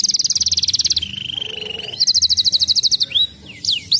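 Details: Agitated crested fighter canary in nonstop song: dense high buzzy trill, a long lower whistled note over a soft rattle, a fast chip series, then several sharp swooping whistles.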